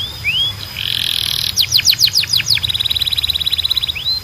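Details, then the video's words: Canary song for training other canaries: rising whistles and a buzzy roll, then a run of sharp descending notes followed by a long fast trill of short repeated notes. "Melhor Som de Canário Para Treinar"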